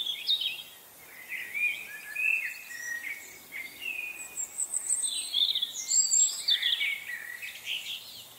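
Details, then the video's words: On 25 November 2020, several chickadees keep up a busy chatter of high, short chips and thin slurred whistles, overlapping almost without pause over a faint outdoor hiss. "Chickadee Frenzy"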